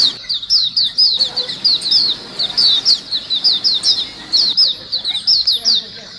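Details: Several white-eyes chattering as a lure sound: quick, high, descending chirps in steady bursts, closely spaced and overlapping, over a soft hiss.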